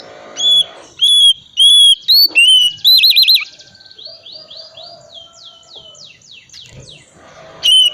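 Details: Calm-type Oriental magpie-robin in ngriwik style, used to prompt silent birds to sing: steady pure whistled notes repeated about once a second, a quavering warble, then a soft series of falling slurred notes before another loud whistle.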